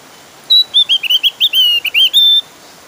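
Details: Javan grey-throated white-eye singing loudly and insistently, used as a lure to get other white-eyes singing: a quick chain of thin, high whistled notes, some slurred and wavering, lasting about two seconds.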